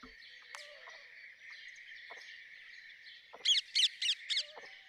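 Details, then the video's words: Rose-ringed parakeet giving a quick run of four loud, harsh, screechy notes near the end, after quieter scattered chirps, over a steady high background hiss of insects or other birds. "Rose ringed parakeet Song ! Rose ringed parakeet Call ! Rose ringed parakeet Sounds !"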